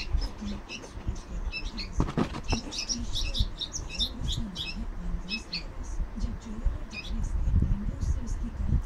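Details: Two lost baby bulbuls, found near a roadside and being hand-fed, give thin, high chirps in quick bursts, several per second, over a steady low hum with a faint voice underneath.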